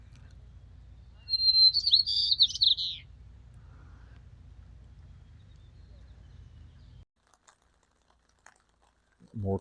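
White-crowned Sparrow sings one high phrase: a clear whistle sliding into buzzy, falling trills. A low steady hum runs beneath, and a brief low sound comes at the end.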